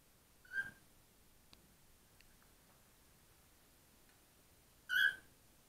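A cockatiel gives two short, harmonic whistled calls several seconds apart, with faint clicks between.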